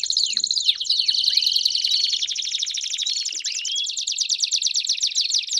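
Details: Group song of Belgian canaries: a few falling whistles at the start, then a long, even, buzzing trill with a rising glide in the middle, several birds sounding together.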